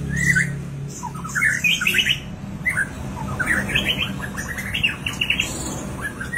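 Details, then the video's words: White-rumped shama, ready to perform, singing in a room: varied bright chirps, rapid trills and short rising and falling notes in bursts, over a low background hum. "murai siap tampil"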